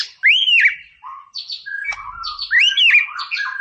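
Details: White-rumped shama song for provoking a rival bird: loud arched whistled phrases with harsh buzzy notes between, repeated in a lively, unbroken sequence.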